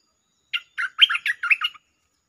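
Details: Lure recording of streak-eared bulbul singing the 'Chao Bank' song with doubles: a single phrase of about seven rapid, bubbly whistled notes lasting just over a second, clean with no background sounds.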